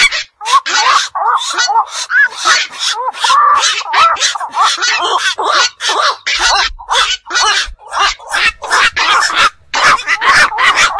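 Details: Black-crowned night herons, called bakchu locally and seen at fish ponds and wetlands, keep up rapid, grating squawks, many birds at once, in a rough, continuous stream.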